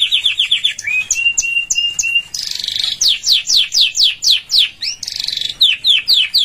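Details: Canary song for practice at home, starting with a fast trill, then a held whistle broken by short high notes, a buzzy burst and many quick descending slurs at about four per second.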